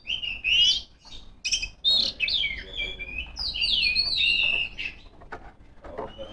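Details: Oriental magpie-robin female singing to challenge rivals: dense, twisting whistled phrases with quick slurs and several sharp clicks, fading toward the end.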